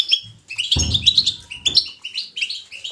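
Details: Bright, lively European goldfinch batbata twitter with fast tinkling and buzzy notes. A dull knock is heard early on.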